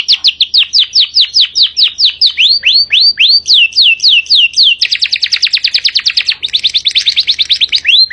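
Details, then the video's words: Canary singing loudly with long breath: clear falling whistles repeated steadily, then a very fast rattling trill and a return to whistled slurs, in a quiet background. "Kenari gacor nafas panjang isian tembakan"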